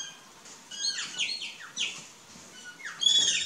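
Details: Plush-crested jay in courtship phase uttering a series of sharp, steeply falling notes, one every quarter second or so, ending in a louder, higher whistled call.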